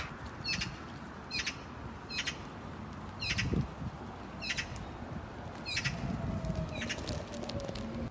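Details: Magpies showering in a duck pond give harsh, rasping calls repeated at a steady pace of nearly one per second, over a low wash of splashing water.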